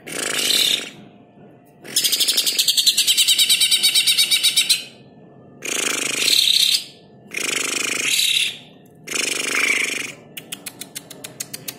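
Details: A greater green leafbird song used as a tutoring track for training songbirds. It comes as loud bursts of dense, buzzy, rapid trills lasting one to three seconds, separated by short pauses, and ends in a fast clicking series.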